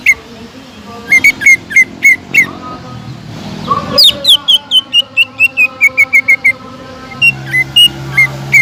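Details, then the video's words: Greater green leafbird (cucak ijo) singing to incite other leafbirds: spaced sharp whistles, then a fast descending run of clipped whistled notes, and a few slurred whistles at the end. "BEARAPI API...!!!TEMBAKAN PEDAS CUCAK IJO GACOR BUAT MANCING CUCAK IJO LAIN AGAR JAMTROK"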